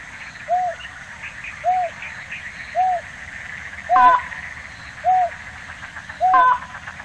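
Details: Slaty-legged crake, Tainan City, Taiwan, 9 December 2019: a series of short, soft, low arched notes about once a second, two of them joined by louder rasping notes, with steady background hiss.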